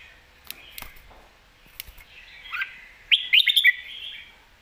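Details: Competition red-whiskered bulbul, a caged professional contest bird in Thailand, singing in the lak wai and mae bot styles: faint scattered chirps build to a loud burst of quick warbled whistled notes near the end.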